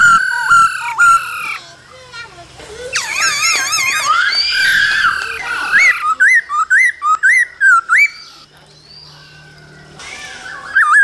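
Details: A male laughingthrush sings in the cold season alongside female calls, giving loud, wavering whistled phrases with rich tones, then a quick run of repeated notes about twice a second, mixed with higher chattering calls.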